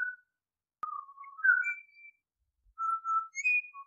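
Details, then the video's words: Pied Butcherbird singing quieter, spaced phrases of mellow whistled notes, some rising to a higher held tone, separated by a long pause, with a brief click near the start. "Pied Butcherbird Sounds - The song & calls of one of the world's most melodic songbirds"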